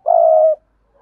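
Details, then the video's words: A spotted dove from Đồng Nai, Vietnam, gives one steady, low, mellow coo of about half a second, played as a lure to call birds in quickly; no other sounds. "Tiếng Chim Cu Gáy Đồng Nai Thúc Bổi Nhanh Về Cội"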